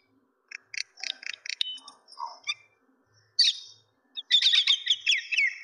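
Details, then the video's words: Common myna giving a varied chattering series: rapid clicks and harsh notes, low gurgling sounds, a short whistle, then a loud rasping squawk and a dense burst of scratchy, chattering notes with a descending whistled phrase. Quiet background. "Mena Birds ( শালিক পাখি )"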